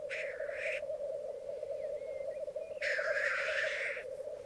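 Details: Black grouse displaying at a lek on a bog, Mykland, May 2022, with twelve cocks and two hens present that morning. Continuous rolling bubbling carries two long, loud, airy hisses, one at the start and one after a pause.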